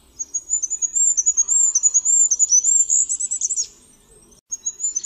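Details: Goldcrest calling: a run of very high, thin, sibilant notes strung closely together for about three and a half seconds, a brief pause, then the thin high notes resume; otherwise quiet.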